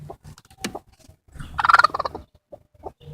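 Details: Broody bantam x bearded silkie hen guarding her eggs and warning a person away: scattered low clucks, then a harsh, rattling, half-second burst of angry noise, followed by a few more soft clucks.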